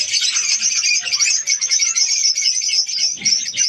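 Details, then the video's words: Breeding colony of budgies, a crowd of birds calling together in an unbroken mass of shrill chirps and rapid twittering, with slight dips in loudness every second or so. "australian parrots budgies ke birds colony"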